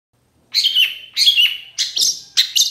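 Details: Long-tailed shrike song played to set other shrikes singing: four rasping phrases, the first two dropping in pitch, the last two sharper and higher-pitched.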